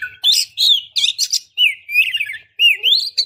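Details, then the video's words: Female Oriental magpie-robin calling a male. Continuous run of loud, sliding whistles and rasping notes, several phrases rising in pitch. "KACER BETINA Memancing KACER JANTAN"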